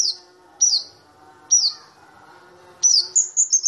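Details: Cabe-cabean flowerpecker (kamade): spaced, sharp, high downslurred tsweet notes about one per second, ending in a quick burst of bright ringing chips, over a low steady hum.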